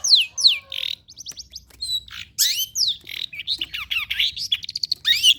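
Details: Long-tailed shrike song used to train birds to sing: a lively, varied run of sharp descending whistles, buzzy rasps and quick chirps, delivered in rapid bursts with brief pauses and no other clear sounds.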